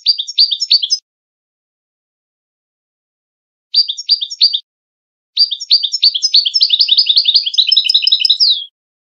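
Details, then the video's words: European goldfinch, Widani song style, a training recording for young goldfinches and hybrids competing in singing contests: two short stuttering bursts, a pause, then a long rapid rolling trill closing on a falling note. "شريط تغريد ويداني للفوز بمسابقات التغريد وتلقين صغار الحسون و الهجين"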